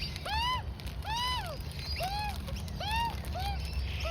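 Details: Australian magpie juvenile, around 4-5 months old, begs as its mother feeds it oats and wombaroo: loud rich arched squawks, about one per second, each rising then dropping, with low background rumble.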